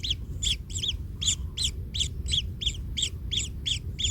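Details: Baby kingfisher in the nest, hurt after being trodden on by its parent, repeating short harsh two-part squeaks about three per second over low rumbling.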